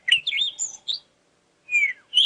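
Cape Robin-Chat: a quick run of sweet, warbled notes, a brief pause, then a falling whistle and the start of another bright phrase.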